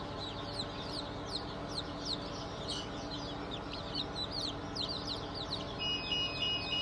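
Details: Chicks of Sussex, Sultan, Turken and Australorp breeds, newly hatched on 8 March 2024, give rapid, sharply falling high peeps, several each second, overlapping from many birds, with a steady background hum and a brief tonal beep near the end.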